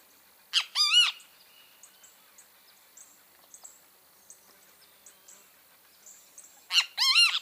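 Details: Great kiskadee (bem-te-vi) giving two loud three-part phrases, each of short sharp notes ending in a rising-then-falling arched note, about six seconds apart, with faint high insect-like ticking in between.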